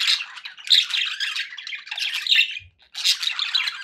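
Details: Budgerigars kept as pets give a continuous scratchy warble with squeaky chirps, falling silent for a moment near the end before another buzzy burst.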